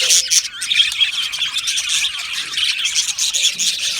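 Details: Budgies in an aviary, many birds squawking and chirping together in a steady rough chatter, with sharper squawks breaking through now and then.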